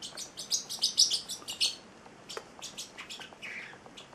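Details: Male Celestial parrotlet chick, eight weeks old and a pet, chattering in a quick run of high chirps that peaks around one second, then continues as softer, irregular chirps at roughly a hundred per minute.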